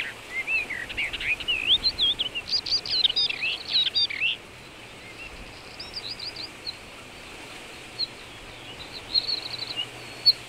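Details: Common rock thrush, Shahdag National Park, Azerbaijan, delivering a dense burst of tumbling, fluting warbles for about four seconds, then quieter scattered trills and short whistled notes, with light steady hiss behind.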